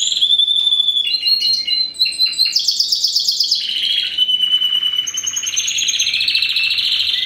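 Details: Canary from a 2015 first-generation cross of Spanish Timbrado with wild-type canary: sharp clipped chips open into buzzy trills and a long, even rolling trill.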